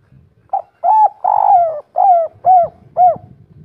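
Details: Spotted dove, local 'kuk 3' cooing style, described as lively and rare. A close series of six hollow, low coos: a short opening note, two long drawn notes, then three shorter, slightly falling coos about every half second.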